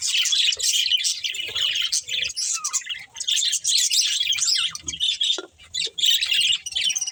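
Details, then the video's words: Budgerigars chirping in a loud flock, fast twittering phrases with squeaky whistles and a brief lull around the fifth second before the chattering resumes. "Beautiful Budgies Chirping Sounds"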